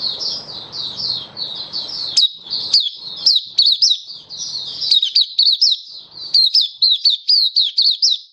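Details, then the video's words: Singing Malaysian white-eye, a hobby bird in Singapore, 20 March 2023, warm and sunny; continuous high warbling ribbon studded with quick, sharply rising and falling chirps that grow more regular toward the end. "Malaysian Mata Puteh Happy Buka Sing"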